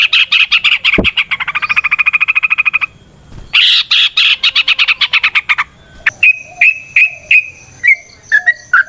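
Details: Sooty-headed bulbul song used as a lure to get other bulbuls singing, varied rattling style: fast rattling chatter in long runs, a brief pause, more rattled bursts, then a series of clear short whistled notes.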